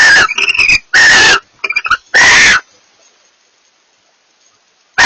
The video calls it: A pair of barn owls communicate